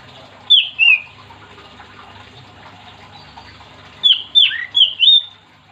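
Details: Oriental magpie-robin singing to prompt other magpie-robins: two sharp downslurred whistles, a pause of about three seconds, then four quick loud whistled notes, against a faint low hum.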